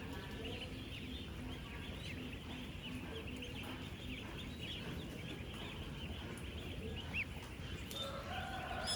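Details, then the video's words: A massed flock of 10-day-old farm ducklings, thousands together, fills the air with busy, overlapping high-pitched peeps and a few lower nasal notes, all over a constant low hum. "16,000 Ducklings Making AMAZING Sounds!"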